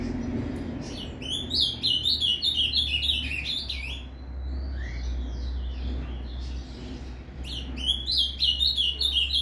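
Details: Ultramarine grosbeak singing the Paraná canto fibra type, played to fire up a captive azulão: two energetic phrases of quick, sweet, slurred notes separated by softer chatter, with a steady low hum underneath.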